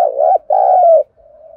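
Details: Spotted dove coo played as a lure to excite and train newly caught doves: two loud, low, throaty cooing phrases in quick succession, then a faint, steady trailing hum.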